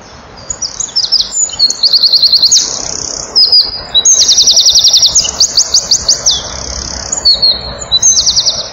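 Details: Male Eurasian wren at a nest-box camera on 7 June 2012 at 16:57, singing hard to nearby females: loud, very high rapid trills and ringing rattles strung into a long, nearly unbroken outpouring with brief pauses.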